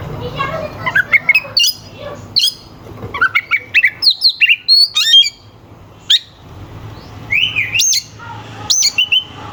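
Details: Loudly singing oriental magpie-robin delivering rough, sharp song fills meant to make rival birds sing and grow agitated. Dense sequences of crisp whistled slurs and chips are broken by short silences, ending in wavering rising phrases.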